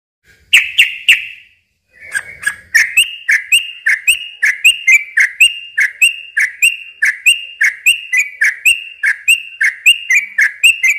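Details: Yellow-vented bulbul in long, rapid chattering song used to lure and stimulate young birds. Three bubbly notes, a brief pause, then a steady run of liquid two-part phrases repeated nearly twice a second.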